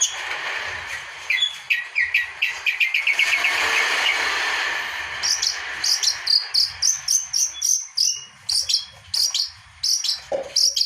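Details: Long-tailed shrike song used to spur silent birds into singing: a quick series of repeated chattering notes gives way to a harsh buzzy stretch, then high clipped whistles repeated at about three per second, with a brief lower note near the end.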